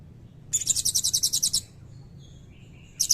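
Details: Blue-crowned hanging parrot singing actively in a long 'cililin' style fill-in, used as a training recording for magpie robins and white-rumped shamas; a rapid run of about eleven very high, shrill chirps, a pause, then another short burst.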